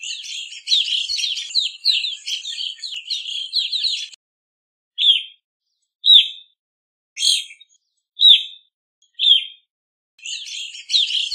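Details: Evening grosbeak: a dense, rapid twittering chatter for about four seconds, then a series of six separate loud downslurred chirps roughly one second apart, before the busy chatter resumes.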